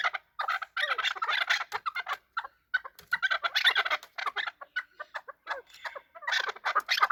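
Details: Chukar partridges fighting: dense, overlapping harsh chattering calls in rapid bursts with short pauses, several voices crowding together.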